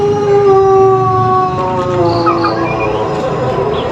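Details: Pelung chicken of Cianjur, West Java, an Indonesian ornamental fowl famed for its long rhythmic crow: a sustained harmonic note that slowly sags in pitch, heard over a steady rumbling background noise with faint higher chirps.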